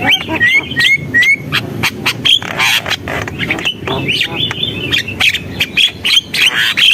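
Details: Javan myna in full song: a few clear rising whistles open, followed by a rapid mix of chattering clicks, harsh notes and short high whistles, over faint low rumble.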